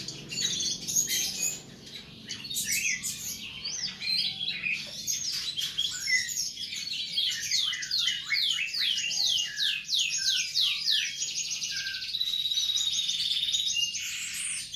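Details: Cage-bird training tutor song, known as masteran: a long, varied, energetic bird song of fast repeated chirps, descending buzzy notes and rapid trills running almost continuously, ending in a sustained high twitter.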